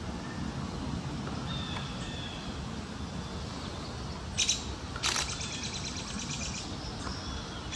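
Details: Common yellowthroat (Geothlypis trichas) in Central Park, New York, USA, in May 2023: a few bright, high chirpy bursts of song near the end, over a steady low rumble of city background noise.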